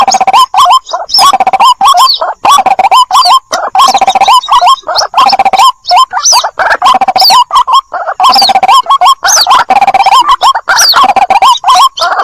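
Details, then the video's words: White-breasted waterhen chick calling its mother, used as a lure sound: a dense run of harsh, nasal calls with bent upward-and-downward notes, repeated in quick bursts with short gaps for the whole stretch, loud and close. "suara pikat ruak-ruak mp3 anakan panggil indukan"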